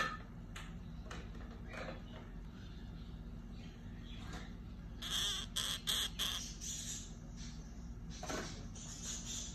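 A pair of orange-fronted parakeets gives harsh, scratchy screeches in a quick cluster of bursts, with softer clicks before, over a steady low hum.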